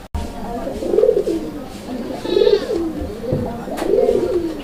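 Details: A domestic pigeon, one of a breeding pair of coloured Rajgolla pigeons with eggs and hatching chicks, calls a lot: low, rolling coos, each swelling and fading, about every one and a half seconds.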